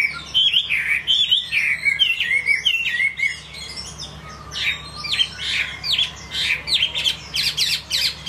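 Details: Chinese hwamei song, a continuous run of rich whistled notes, looping slurs and sharp upward sweeps, delivered in quick bursts several times a second, with harsher high chattering notes toward the end.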